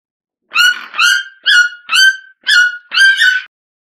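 Red-billed toucan giving six loud, yelping notes, loosely paired, at about two per second. Each note is harsh and slightly falling. No other sounds are heard.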